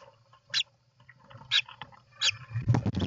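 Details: European roller at its nest on 29 June 2024: three short, harsh, rasping calls about a second apart, followed by a burst of low rustling and scraping.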